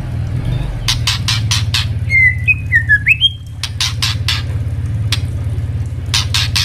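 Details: Tutor recording of a captive white-rumped shama for training young birds: one brief phrase of sliding whistled notes ending on a rising note, framed by dry clicking and a strong low droning noise.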